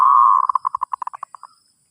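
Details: Zebra dove song used to teach a new bird: a sustained rolling coo that breaks into a string of about a dozen short pulsed notes, spacing out and fading over roughly one and a half seconds.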